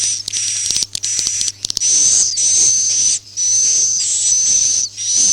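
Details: Swiftlet roosting lure sound, a 'suara inap' of the style called 'Masal', used in swiftlet farming: hissing, buzzy rasps with a thin high whistled edge, each about half a second to a second long, repeated in uneven bursts over a low steady electrical hum.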